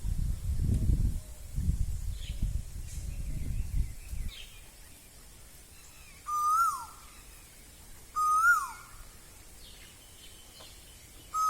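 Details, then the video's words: Spring (Bohag) song of an Asian koel in Assam: after low rustling and thumps fade, two clear rising-then-falling whistles come a couple of seconds apart, with a third starting at the end. "Coolie কুলিৰ মাত kulir matবহাগ মানে কুলিৰ মাত कोयल की बोली"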